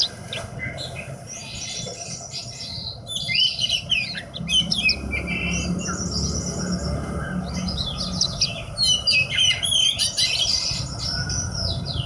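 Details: Horsfield's bush lark kept as a hobby bird, giving a fast, varied song of high twittering trills, buzzy chirps and quick whistled slurs, delivered in dense bursts over steady low background hum.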